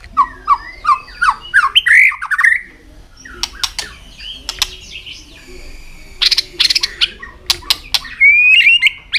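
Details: Caged white-rumped shama singing while flicking its tail, used to stimulate other shamas: a rising series of rapid whistled notes into loud warbling, then sharp clicks, chatter, and a final clear rising whistle.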